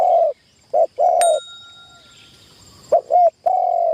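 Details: Spotted dove used as a decoy, on its first training session in a tent trap for trapping wild doves, giving low mellow coos. A short two-part note is followed by a long steady hum, with a brief gap between phrases.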